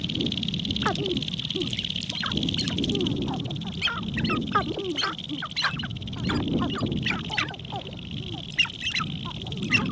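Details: Spring lek of sharp-tailed grouse in Montana, heard from a blind: dense bursts of short clucks and squeaks come in quick runs, with gusty wind rumbling underneath and a steady high-pitched hiss.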